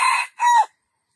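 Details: Junglefowl crow ending: two loud, harsh syllables, a rough first burst followed after a short gap by a drawn-out note that falls slightly at its end, no other sounds.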